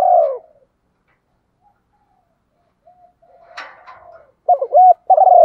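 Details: Female spotted dove coo, played to get males calling when rain and wind silence them: a falling coo at the start, a faint rustle, then a fresh phrase of quick double notes and a long low coo.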